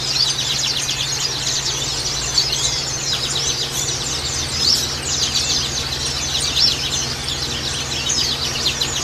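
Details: Flock of oriental white-eyes singing as a colony, an unbroken wash of thin, high chirps and quick trills that swells slightly in bursts, backed by a constant low mechanical hum.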